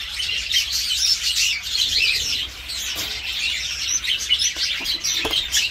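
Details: Budgerigars in a breeding setting where chicks have left the nest and laying has started again: continuous dense warbling chatter from many birds, with scattered sharp chirps over low background hum.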